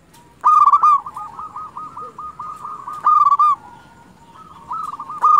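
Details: Local Zebra dove, a lure for wild doves, delivers loud rolling coo phrases of quick pulsing notes about every 2.5 seconds, with other doves cooing in long soft runs behind.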